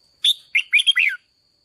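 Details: Single lively phrase from a red-whiskered bulbul used to excite decoy birds: a sharp opening note followed by four rapid, looping whistled syllables ending in a downward slur.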